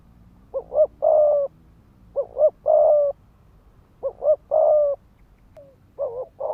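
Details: Decoy spotted dove on the ground giving 'thúc gù' coos meant to rouse rival males: two quick clipped notes followed by a longer drawn coo, phrase repeated about every two seconds, deep and soft.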